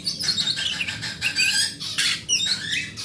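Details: Large-bodied oriental magpie-robin of forest stock singing to prompt silent magpie-robins: continuous harsh, scratchy chatter with buzzy broadband notes and a few rising whistles near the end.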